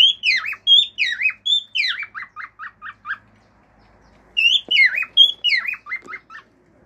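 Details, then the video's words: Domestic male cockatiel singing natural calls, wolf-whistle and clicks: two phrases of swooping whistles, each trailing into a run of short chirps, with a short silent gap between them. "CALOPSITA MACHO CANTANDO CANTOS NATURAIS, FIU-FIU, ESTALINHOS ENTRE OUTROS"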